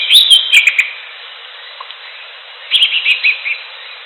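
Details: Wild greater green leafbird in natural surroundings delivering quick bright chirping phrases, a loud run of high slurred notes at the start, then a pause and a second series of five short sharp chirps.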